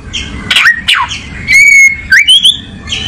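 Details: Oriental magpie-robin (kacer) giving a few harsh sweeping notes followed by a long, pure, level whistle and bright rising slurred whistles, over a soft low background hum.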